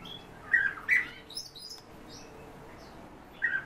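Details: Home-bred European bee-eaters calling, with two quick rolling calls in succession, a pause with soft high chirps and a wing-like rustle, then a final burry call.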